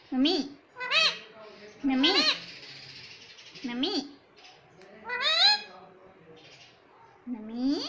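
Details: Rose-ringed parakeet talking, imitating "Mummy Papa": a string of six short, nasal, harmonic syllables, each bending upward, spaced about one to one and a half seconds apart with soft pauses between.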